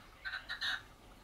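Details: A red-legged partridge, hidden in low scrub, sings a short, harsh three-part phrase: two clipped chuck notes and a longer rasping final note, over a quiet background.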